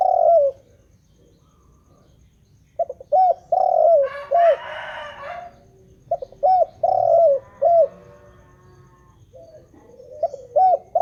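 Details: Continuous spotted dove song, repeated groups of soft hooting coos, each phrase with short notes and one drawn-out falling coo, a brief rustling noise midway, steady low background hum.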